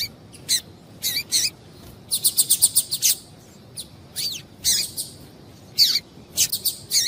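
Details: Female double-collared seedeater calling to stir the male to sing; a busy run of high, thin chirps and quick downslurred notes, some in a fast even burst of six, with short pauses between groups.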